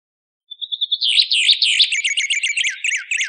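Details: White-plumed honeyeater song used as a tutor recording for training songbirds: after a short thin whistle, a fast, loud, varied stream of high twittering notes and sweeping chirps rolls on continuously with no pauses, over a silent background.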